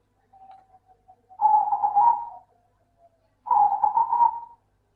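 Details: Zebra dove, a local bird, singing as a lure for lazy doves. A faint note comes first, then two loud, rapid, stuttering coo phrases about two seconds apart.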